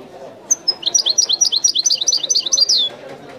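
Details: A single European goldfinch phrase in the authentic Wideni song style: a high whistle leading into a quick, rolling string of about fifteen sweet twittering notes, ending in a drawn-out falling note. Soft room noise underneath.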